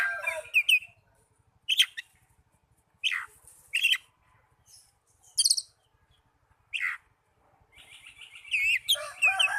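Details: Oriental magpie-robin song for therapy of young or silent birds: widely spaced loud downslurred whistles and sharp notes with long gaps, ending in a denser burst of rising whistles and chatter.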